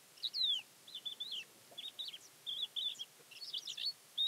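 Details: A Thekla's lark sings near Castro Verde, Alentejo, Portugal, on 12 April 2017: a quick run of short fluty, slurred phrases, mostly high-pitched, some rising and some falling, over a quiet background.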